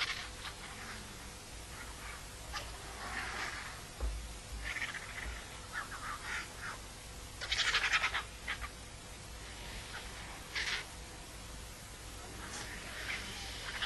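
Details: Wild griffon vultures arriving at a carcass at La Terreta feeding site, Tremp, and fighting noisily for position; scattered harsh, raspy croaks and hissing bursts come in irregular clusters over steady low background noise.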